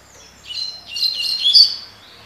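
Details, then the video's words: Coleiro, or double-collared seedeater, giving its tui tui (tocó) song: a brief, dense phrase of high chirps and warbled notes that swells to a sharp whistled peak, then fades. Faint low background hum. "COLEIRO TUI TUI (TOCÓ)"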